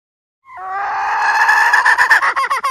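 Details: A hen's call kept as a trapping lure: one sustained, strained harmonic wail that swells and then wavers into choppy pulses near its close.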